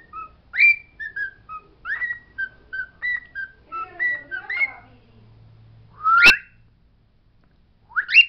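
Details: Pet bird singing the words it knows as a string of short whistled notes for five seconds, then a pause, then two loud, rising, swooping whistles, one accompanied by a sharp click.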